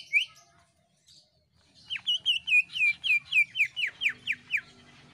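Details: Greater green leafbird, or cucak ijo, in gacor screaming song to make other birds sing quickly: one sharp note, a pause, then some thirteen rapid, evenly paced falling whistles.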